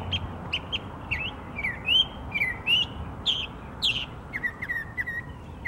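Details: Savannah, Georgia, 12 October 2024: a Northern mockingbird sings a changing series of sharp chirps, down-slurred whistles and buzzy notes, repeating some phrases in quick runs, over steady low background rumble.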